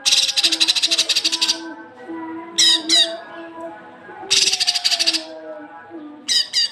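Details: Cucak kinoi sung as masteran training audio for young birds: harsh, rapid buzzy rattling bursts about a second long, alternating with short sharp double notes, over a steady low tonal hum.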